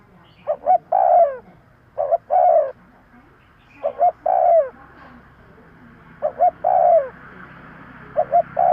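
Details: Spotted dove cooing as a bird-trapping lure: a steady series of five phrases roughly every two seconds, each two quick short notes then a longer mellow falling coo, background quiet.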